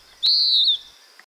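A Western Wood-Pewee gives one burry, high note about half a second long. It rises briefly, then slurs downward into a hoarse 'peer'. Nothing else is heard.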